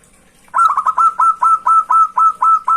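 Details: Clear song of a local zebra dove, used to draw out rivals: a rapid cluster of short cooing notes opens the phrase, then regular, slightly upslurred coos follow at an even pace to the end.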